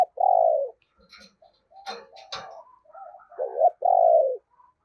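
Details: Decoy spotted dove cooing in the 'thổ' voice style: a long low falling coo opens, scuffling and rustling noises follow, then a quick rising double note and another long drawn-out coo.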